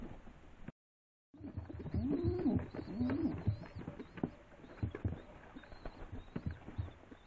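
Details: Rock dove cooing: a few low, rolling coos that rise and fall in the middle of the recording, half buried under frequent clattering knocks, rustling and a steady high hiss.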